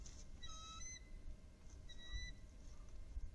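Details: Bald eagle at a nest on the Upper Mississippi River Refuge, incubating eggs on 21 February 2018, live nest camera: two short bursts of thin, high whistled notes with bright overtones, over a low rumble of wind.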